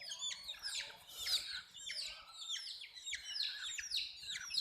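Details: Chicks of a hen peep nonstop, high thin chirps falling in pitch and layered from several birds at once, the flock noisy and restless across the whole stretch.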